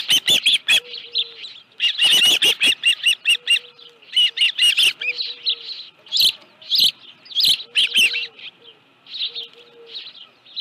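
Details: Piercing, rapidly repeated chirps from an osprey holding a live fish at a ranch nest, Dunrovin Ranch, 25 July 2018, 5:23 PM; bursts come and go irregularly, with a faint low steady tone underneath.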